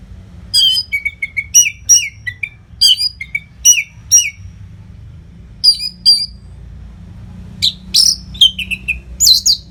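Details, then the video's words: Orange-headed thrush (Geokichla citrina) master song for training other birds: rich, varied phrases of sweet whistles and sharp chirps, each burst under a second, repeated almost without pause over a low hum. "SUARA MASTERAN ANIS MERAH GACOR RAPET NO JEDA"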